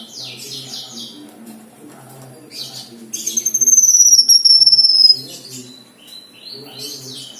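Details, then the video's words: Scratchy chirps and rapid twitters from a black-winged myna lead into a loud, pulsing high whistle sliding downward for about two seconds, then more chattering notes over a quiet hum. "BURUNG KINOI GACOR MATERI MEWAH | KINOI ISIAN"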